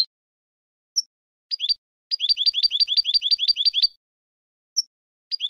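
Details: A goldfinch sings scattered single high chips, then a sustained run of about fifteen quick repeated twittering notes that rise and fall, followed by more isolated chips.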